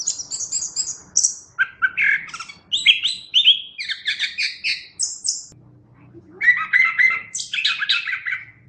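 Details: Chestnut-backed thrush pouring out a varied song in full voice: rapid repeated whistled notes, then buzzy two-tone phrases and high sweeps, with a short quieter gap before a final warbled run.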